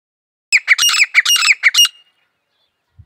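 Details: Grey francolin, locally called desi teetar, giving a loud harsh series of about six rhythmic squawking notes over one and a half seconds, then falling silent; a faint low thud at the very end.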